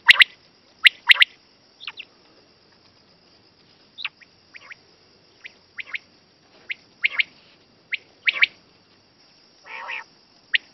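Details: Common quail giving sharp, liquid notes, often in quick triplets, repeated every second or so, over a steady high insect-like hiss; a quail sound used for hunting, described as best for night.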